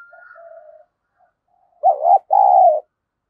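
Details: Decoy spotted dove provoking rivals with a single loud coo phrase, a short husky note followed by a longer drawn-out one, after soft low murmuring and a faint thin whistle.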